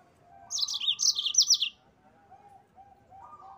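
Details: Single quick phrase of high, tumbling chirps from a yellow-fronted canary on a cage-bird training recording, followed by soft lower tonal notes in the background.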